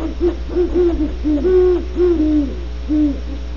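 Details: Great horned owls at Starr Ranch, California: a rapid run of short, low, soft hoots, some doubled, with a longer hoot mid-series, over a steady electrical hum.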